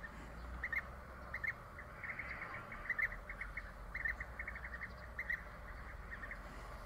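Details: European bee-eaters during the courtship "gift" of food, giving short, rolling, mid-pitched calls in quick overlapping bursts, several per second, over a low steady rumble of background noise.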